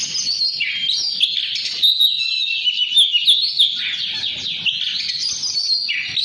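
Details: Kacer, the Oriental magpie-robin, in nonstop 'ngobra patah' song meant for training other birds; fast, run-together high twittering and whistled phrases, some notes dipping lower, delivered with steady intensity throughout.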